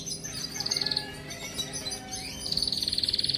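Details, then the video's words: Canary song used for training: soft, slightly distant fast trills, a short rolling phrase, a pause with scattered notes, then another even high trill repeated quickly. "صوت كناري مذهل لتدريب وجعل طائرك الكناري يغرد بلا توقف canary singing training bird"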